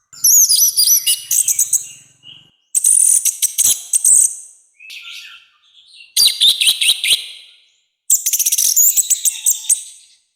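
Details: Loud, harsh orange-headed thrush song for training other birds: four bursts of high, fast, looping whistles and scratchy trills with brief gaps, plus a few soft lower notes between them.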